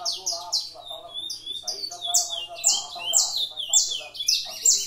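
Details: Captive canary at a breeding room, singing in the Brazilian 'fibra' style: a rapid, varied run of bright, sliding high notes and chirpy phrases packed tightly together, with faint lower twittering beneath.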